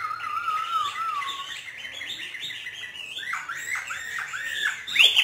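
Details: Trained hwamei of northern Vietnam in free song: a steady low whistle, then climbing phrases and a burst of rapid descending slurred notes, ending on a loud high squeal.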